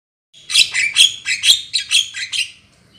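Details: Black-winged myna lure call used for trapping birds: a rapid series of about ten harsh, squawky chattering notes, high-pitched and noisy, packed into two seconds.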